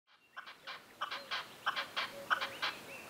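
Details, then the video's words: Red-legged partridge in the Sierra de Andújar: faint, rough chuffing call notes repeated about every quarter second in an uneven rhythm, with soft thin whistles from other birds in the background. "Red-legged Partridge"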